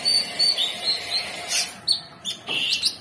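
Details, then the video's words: Short burst from an orange-bellied leafbird: a few high whistled notes, a quick upslurred chip and a buzzy, rasping phrase near the end. "Cucak Cungkok Super gacor"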